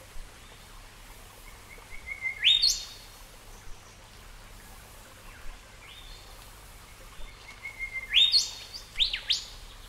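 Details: A Golden Whistler (Pachycephala pectoralis) gives two loud phrases about six seconds apart, a steady whistled note and then a sharp upward-whipping flourish, over a faint low hum.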